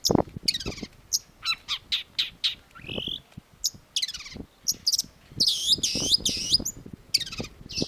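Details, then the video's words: Long-tailed shrike, called cendet, singing energetically: varied harsh, buzzy and squeaky phrases, slurred downward whistles and loud grating notes, over low clattering noise. "cendet gacor"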